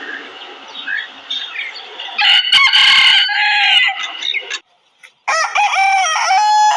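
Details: Desi roosters in a crowing competition: overlapping calls and clucking in the first half, then a short silence and one clear, loud, harmonic crow that rises, holds, and dips.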